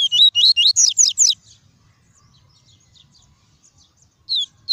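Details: Double-collared seedeater, caged, singing pure tuí tuí song to warm up other birds: a rapid run of about seven high, wavering whistled notes, quiet scattered soft chips, then the phrase starting again after about three seconds.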